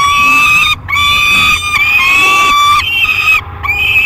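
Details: Peregrine falcon nestling aged 30 days, in a nest box at Great Spirit Bluff, 1 July 2021, while flapping its wings. It keeps up a near-continuous run of five harsh, nasal wails with only short breaks.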